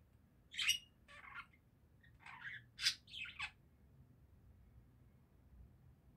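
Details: Budgerigar singing in a short run of scratchy chirps and rasping squawk-like notes, then falling silent.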